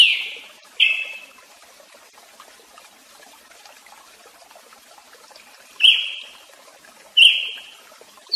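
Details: Brazilian tanager (tiê-sangue) with two sharp, buzzy notes, a long silent gap of about five seconds, then two more notes with the same abrupt start and fading tail.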